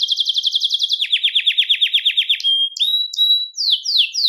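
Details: Song of a Belgian canary used to warm up males and bring females into breeding condition: a rapid high trill dropping to a slightly lower rolling trill, followed by pure whistled notes and sweeping slurs.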